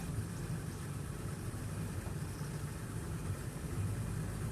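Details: Low, steady rumble of an idling vehicle engine during a safari test drive in Ceylon, with no animal calls heard.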